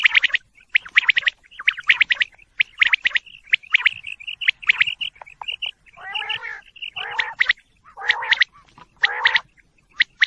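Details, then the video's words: Quail calling in a busy chorus: rapid bursts of bright chirps around the upper-middle pitch, some rising whistled notes, and a few harsher, buzzier squawks near the middle, with short gaps between clusters. "quail bird sound"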